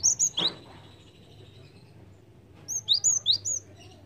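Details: Java sparrow lure call: three quick high chirps and a louder clipped note open the sequence, followed by a gap of quiet hum, then a lively series of five or six slurred, up-and-down chirps.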